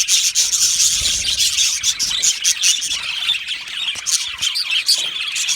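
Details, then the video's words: Budgies, Australian parakeets, singing and chirping happily as a colony: rapid, irregular bursts of high twittering and scratchy notes, several chirps per second layered into unbroken flock chatter. "Australian Budgie singing and chirping sounds"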